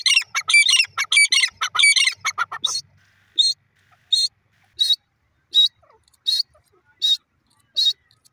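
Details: Grey francolin (gora teetar) calling: a fast burst of harsh, ringing notes for about three seconds, then short, shrill, high notes repeated about every 0.7 seconds against a quiet background.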